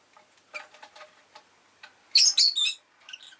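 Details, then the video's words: Rosy-faced lovebird kept as a pet, chirping: soft ticking clicks first, then a burst of loud, sharp, shrill chirps near the end, followed by faint chattering notes. "Lovebird Chirping Sounds"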